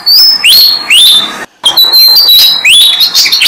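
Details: Malaysian pied fantail family with six-day-old chicks being fed on a jam tree; clear, whistled, rising notes repeat roughly every half second, each sweeping upward and ending on a level high tone, with a brief silent gap midway.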